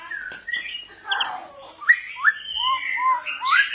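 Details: Varied song of a white-rumped shama, a mix of rough squawky notes, slurred whistles rising and falling, and short fluty phrases with changing pitch, delivered in a rambling, many-voiced sequence.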